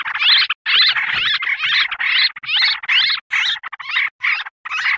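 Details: Lure sound of sooty-headed bulbul for attracting wild birds, said to excite them: loud, harsh, squawking bursts, each about half a second long, repeated in a steady series with short gaps between.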